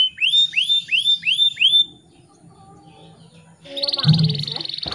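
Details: Canary song played in the morning as a lure to stir stressed or non-singing canaries: five clear whistled notes, each rising then falling, then a pause, then a dense buzzy high trill over a low rumble.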